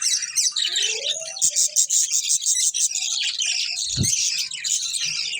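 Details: Budgerigar breeding pair in a family group, kept as pets: dense, continuous high chirping and warbling chatter with rapid twittering notes and a few low knocks.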